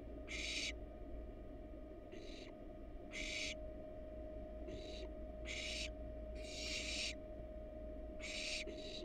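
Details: ['Wild barn owl nestling in a nest box while casting a pellet; repeated loud rasping hisses in bursts about every one to two seconds, over a steady low hum.']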